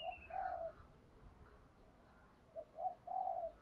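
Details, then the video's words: Spotted dove giving thúc gù coos for training newly caught doves: low hollow notes in short groups, one longer held coo, quiet amid a hissy background with a brief higher whistle at the start. "tiếng chim cu gáy thúc gù dùng luyện tập cu bổi mới gáy theo mỗi ngày"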